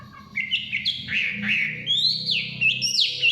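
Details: Varied whistled song of a Chinese hwamei in the forest, fluid notes gliding up and down with a few high thin slurs near the end, over a noticeable low humming background.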